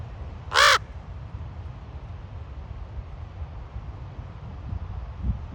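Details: Single raven at Ocean Beach, San Francisco: one short rasping caw early on, then only a low rumbling background of wind or surf.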